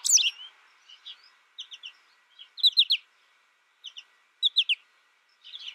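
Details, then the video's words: Young American goldfinch raised alone in its first year gives bright high twitters. Brief chirps come in groups of three or four, separated by short gaps, over faint background notes. "My American Goldfinch sings a tutor calling birds, goldfinch excitation to sing,goldfinch chirping"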